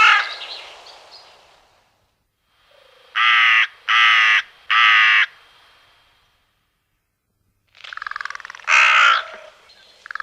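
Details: Common raven; three loud, even, harsh croaks in a row, each about half a second long, then a pause and further rough croaking.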